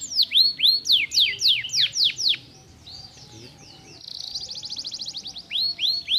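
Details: Canary song of loud descending whistled sweeps, a brief pause, then a fast buzzy high trill and a return to swooping notes.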